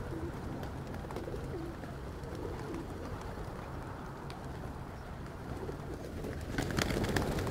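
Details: Hundreds of pigeons at Pigeon Valley, Cappadocia, Turkey, give soft, low, repeated coos through a steady outdoor hum, with a burst of flapping wings near the end.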